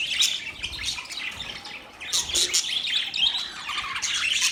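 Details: Several budgerigars chirping and chattering together in mating sounds: dense, high-pitched overlapping chirps, warbles and short squawks, dipping briefly just before two seconds, then resuming busily.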